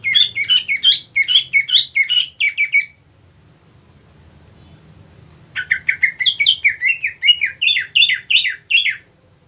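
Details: Contest-prepared caged green leafbird singing fast chains of wavering whistled notes, about two or three per second, pausing briefly, then resuming a similar rapid varied series; a steady high-pitched pulsing tick runs underneath.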